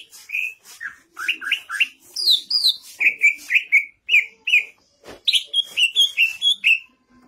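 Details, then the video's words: Energetic 'gacor' singing from a greater green leafbird (cucak ijo) with climbing 'nanjak' vocals: sequences of sharp, upslurred whistles delivered in quick repeated pairs and triplets, separated by brief gaps. "Burung Cucak Ijo Gacor Vocal Nanjak Mental Oke"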